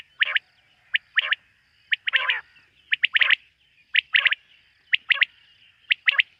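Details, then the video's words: Quail calling at night: sharp, bright clipped notes in pairs and triplets, each dropping at the end, repeated about once a second, with one longer harsh rasping burst in the middle. "Bater ki rat wali awaz ۔۔quail sound of night"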